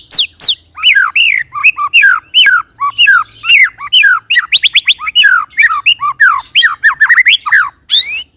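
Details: White-rumped shama song used as a lure to get other shamas singing: a long unbroken stream of fluty rising and falling whistles, rapid trills and repeated slurred notes, almost continuous throughout.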